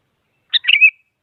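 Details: Sooty-headed bulbul, a single short chirpy phrase of rapid notes ending in a brief slurred whistle, given to provoke a rival so a silent bird starts singing; no other sounds.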